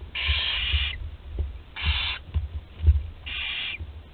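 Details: Barn owl young at Théding, France, 20 July 2020, including a 13-day-old that can swallow whole prey; three long raspy hissing screeches up to a second long, separated by low thuds and shuffling.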